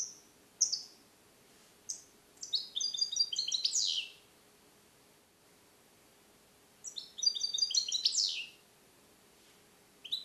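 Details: Song-trained male European goldfinch, captive-born in 2021 and taught Neapolitan passages, caged alone for recording; high, sharp chips lead into two long phrases of rapid stacked twitters that close with a buzzy descending slur.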